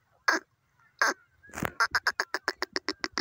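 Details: Grey francolin from Pakistan: two drawn-out, raspy cawing notes, then a quickening run of about ten short, harsh repeated calls.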